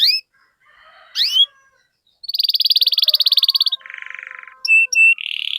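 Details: Singing canary recorded to stimulate young canaries: two high slurred whistles, a sharp upward sweep, then a long buzzy rattling trill, a lower buzzing roll and high clipped notes ending in a sustained trill.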